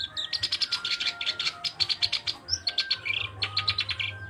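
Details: Black-browed reed warbler, a small migrant breeding in northeast Asia, singing in a chattering, lively style: rapid runs of sharp, clicking high notes in quick bursts, with a steady low hum and a faint tonal line underneath.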